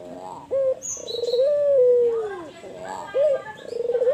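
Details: White albino dove cooing loudly: short hoots and a long sustained low note that sags downward, broken by quick rolling pulses, with a faint high chirp in the background.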